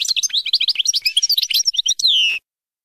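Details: European goldfinch song played for teaching young birds: a fast, liquid twittering of bright chirps and short trills, ending in a long, nasal, descending note, then silence.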